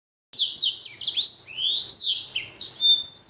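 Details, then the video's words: Blackthroat and canary hybrid finch, a cage-bred cross, singing a busy run of bright sweeping whistles and slurred chirps, rising and falling notes packed closely together, ending in a quick trill; no other sounds. "Blacken Gacor Warna Unik Sekali | Blackthrout x Kenari"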